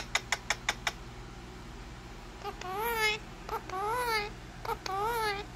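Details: A pet talking rose-ringed parakeet (Indian ringneck) gives five quick clicks, then three wavering, speech-like phrases in a high, nasal voice, each rising and falling, in a quiet room.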